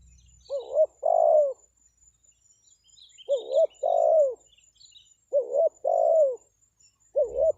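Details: Spotted dove used as a lure for wild birds, cooing repeatedly: a quick double note then a long, smooth downward-sliding coo, the phrase returning about every two and a half seconds, with soft distant twittering.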